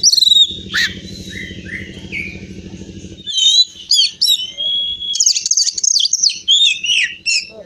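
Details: A caged, prize-winning Oriental magpie-robin from Pemalang, Central Java, Indonesia, sings loud, varied whistles and sharp chirps, rising and falling in quick bursts, over a low droning hum for the first few seconds.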